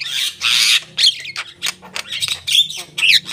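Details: Javan myna singing: harsh, noisy squawking bursts alternating with short bright whistled notes and scratchy chatter, delivered in uneven clusters with brief pauses.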